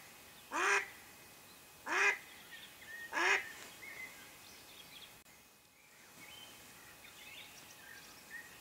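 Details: Hunting lure Mallard hen gives three well-spaced, rough quacks over about three seconds, followed by quiet with only faint distant chirping.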